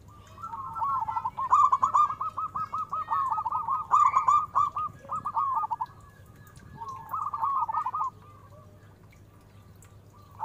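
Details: Local zebra dove with a big voice, singing as a lure: an extended rapid string of rolling, bubbling coo notes lasting several seconds, then a shorter burst, steady low hum behind.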